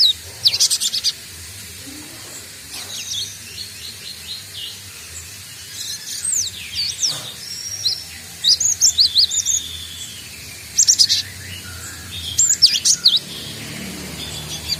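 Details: Young cinereous tit learning to sing. Short bursts of high, thin chirps and quick whistled slurs come in scattered clusters, with longer quiet gaps between them.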